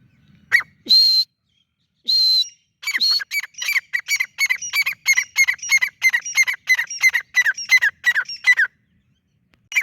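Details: Francolin giving two long buzzy whistles, then a rapid series of rasping notes, each with a slurred falling tone, repeated about twice a second for several seconds before stopping.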